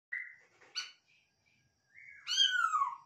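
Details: Masked laughingthrush from a captive breeding setting: a short level whistle, a harsh harmonic note, then a loud slurred whistle that rises and falls with a rich overtone stack. No other sounds.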